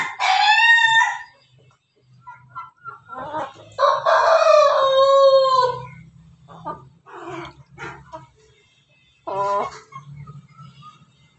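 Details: At home after a bath meant to lengthen its crowing, an Ayam Ketawa rooster gives three separate loud, harmonic crowing bursts with a low steady hum and quieter sounds between them.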